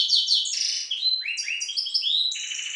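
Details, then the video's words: Dense, fast song of a captive-bred goldfinch hybrid of Balkan stock: overlapping bright chirps, slurred whistles and rolling trills packed tightly, with no pauses. "Śpiew bastarda po C.c. Balcanika"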